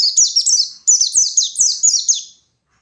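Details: White-eye ngalas song for provoking opponents: two quick runs of piercing, downslurred notes, about eight in each, fading away at the end.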